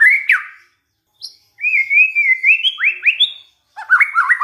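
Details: Lure song of a white-rumped shama meant to make other shamas sing: a sharp down-slurred whistle, a pause, then a long steady whistle rising into quick upward-swept notes and a final burst of warbled phrases.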